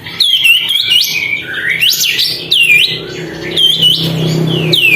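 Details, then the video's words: Sooty-headed bulbul singing energetically with its tail spread to provoke other birds, pouring out a fast run of swooping whistles, some rising steeply and others dropping, with steady low hum throughout. "kapas tembak gacor buka ekor, untuk memancing emosi burung lain"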